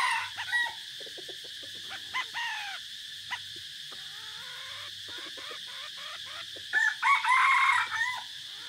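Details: Red junglefowl decoy bird, 3 April 2024, forest trip: mostly quiet with scattered soft clicks and faint calls, then a short, loud, hoarse crow near the end.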